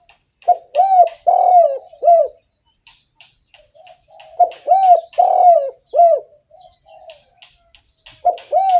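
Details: Spotted dove, an active singer used to lure other doves, repeats a phrase of about four arched hollow coos, pauses with faint softer notes, repeats the phrase, and begins it a third time.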